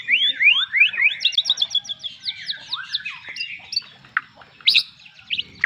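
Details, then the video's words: White-rumped shama song of quick rising slurred whistles, then fast rattling high notes and scattered sharp chips. "suara kicau murai batu"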